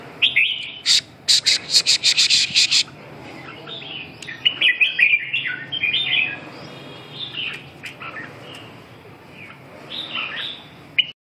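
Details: Red-whiskered bulbul song: a rapid series of sharp, clicking high chirps in the first three seconds, followed by varied liquid whistled and warbled phrases, some slurred upward, scattered irregularly with brief quiet gaps.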